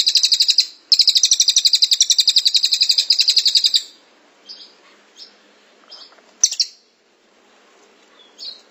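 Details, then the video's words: Velvet-fronted nuthatch (cililin) delivering a dense, long-running 'tembakan' shooting song: a brief high rapid trill, then a second fast pulsed buzzy trill lasting about three seconds. Scattered short high chips follow in a quiet background. "Masteran Cililin Tembakan Rapat Durasi Panjang"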